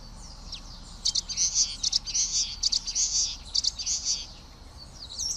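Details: Common waxbill (Estrilda astrild), song.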